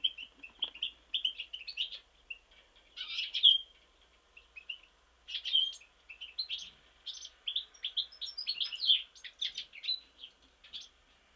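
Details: European goldfinch in Mostar delivering a sustained, lively twittering song of tinkling notes, buzzy trills and rapid chatter, the phrases coming in several bursts with short pauses.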